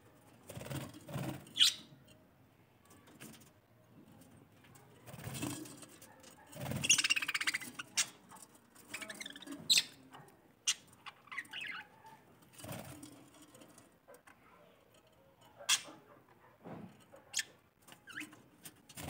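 Budgerigars chattering with scratchy, high chirps and short warbled bursts, broken by brief pauses.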